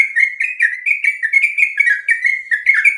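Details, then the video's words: Sooty-headed bulbul, a long rolling song used to train other birds: continuous chattering phrases of bubbly, slightly buzzy notes around a steady mid-high pitch, linked without pause for the whole stretch, rising and falling in short waves. "Suara burung trucuk ropel panjang"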